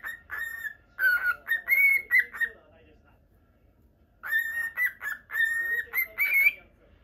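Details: Two bursts of whistling from a pet lutino cockatiel, separated by about one and a half seconds of quiet, each made of clipped clear notes with a few squeaky rising slurs.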